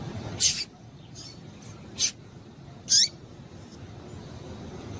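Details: Calls of a female double-collared seedeater, used to stir a male to sing: three short, high, thin chirps spaced about a second apart, the last ending in a quick downward slur, over faint hiss.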